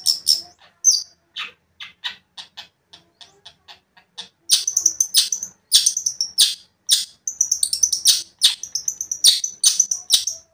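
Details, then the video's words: Long-tailed shrike (cendet) singing to provoke a rival: soft scattered ticks at first, then loud dense bursts of harsh chattering and thin whistles. "cendet gacor memancing emosi cendet lain"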